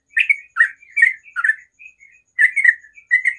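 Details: Sooty-headed bulbul in morning song: bursts of full, bubbling notes separated by short gaps and a few softer whistled links, with a faint hum behind.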